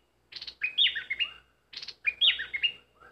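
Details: Caged bulbul decoy singing strongly: two similar phrases, each opening with a harsh buzzy note and running into warbled, falling whistles, about a second and a half apart.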